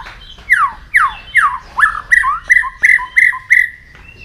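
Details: White-rumped shama singing in the morning while training its voice: a series of loud, sweeping downslurred whistles about every half second, shifting into short level whistled notes repeated rhythmically, ending with a faint high note.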